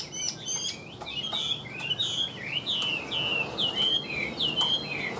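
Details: Caged Chinese hwamei with an even, regular delivery: a few quick chips, then clear sweeping whistles repeated a little more than once a second, each slurring down then up in a smooth arc.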